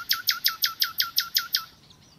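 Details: Nightingale giving a short series of nine evenly spaced, emphatic notes, each sharply falling. The notes come about five per second and then stop abruptly.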